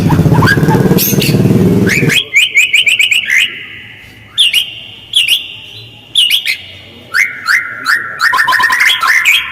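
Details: White-rumped shama lure, harsh and fast with close pauses, meant to make other birds answer: after an opening noisy rattle, short bursts of sharp repeated whistled notes come every second or so, ending in descending slurred phrases.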